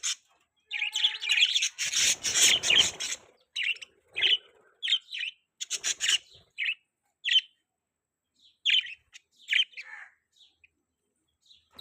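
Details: Budgies give a loud, rasping, broadband burst of chatter, followed by a quick series of short, sharp chirps with uneven gaps between them.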